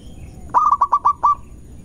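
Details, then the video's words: Zebra dove of local stock in full voice, singing to rile up rival doves: a single burst of six rapid, soft, pulsing coo notes ending in a brief trailing hum, with low background rumble. "Perkutut Lokal Gacor Cepat Bikin Emosi Lawan"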